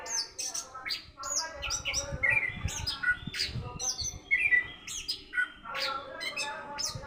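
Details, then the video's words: Learning a 'rock and roll' song in the morning, an orange-headed thrush gives a busy, unbroken medley of high chips, clear whistles and rapid twitters, with low rumbling noise underneath. "anis kembng patol bljar rok and roll d pagi hari"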